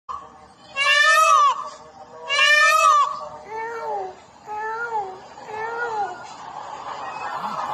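Peacock gives two loud, nasal, wailing calls about a second and a half apart, then three softer, lower arched calls follow over a faint background hum.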